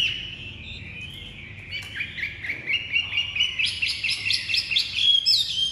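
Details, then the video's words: Kept Chinese hwamei with pure white wing feathers, praised for a very fine voice: bright chirping phrases climb higher toward the end, rapid notes repeating about twice a second over a quiet background. "Ngũ trường bộ to, giọng cực hay, lông cánh trắng tinh | Họat Họa Mi"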